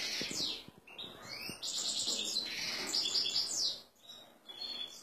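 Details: European goldfinch male, excited and ready for a female canary, delivers rapid sweeping chirps, descending slurred notes and bright trills, dipping briefly near the end before resuming.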